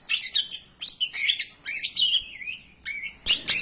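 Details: Greater green leafbird song used as a lure so other birds start singing: four or five loud bursts of bright, squeaky, warbling phrases with short silences between, one ending in a long descending whistle.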